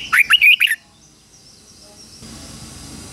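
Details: Red-whiskered bulbul decoy singing to provoke rivals: one short phrase of four quick, rising-and-falling whistled notes, followed by quiet background hiss.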